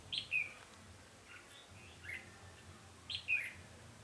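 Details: Decoy red-whiskered bulbul used for trapping wild birds, recorded 20 November 2015: two quick, clear, chirpy phrases of a few tumbling notes each, separated by a pause of about three seconds, with a faint low hum behind.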